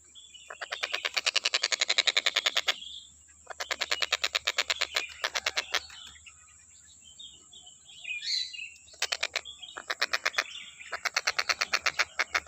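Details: Stork-billed kingfisher song, recorded for training other songbirds: loud, rapid pulsed trills in bursts of about two seconds, separated by short pauses, with a softer warbled phrase between bursts and a steady high background tone.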